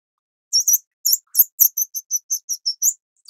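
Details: Grey-cheeked fulvetta chicks of the Taiwan-endemic subspecies Alcippe morrisonia morrisonia beg while being fed by adults, with a quick run of very high, thin chips, about four or five a second, over an otherwise quiet background.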